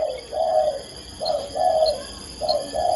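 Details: Female spotted dove calling a male: soft, low cooing phrases, each a short coo followed by a longer drawn-out one, repeated about every 1.2 seconds over a steady faint electrical whine.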